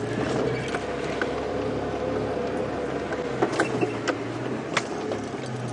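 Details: Steady engine hum from a safari vehicle with scattered sharp clicks and knocks, and no animal voice.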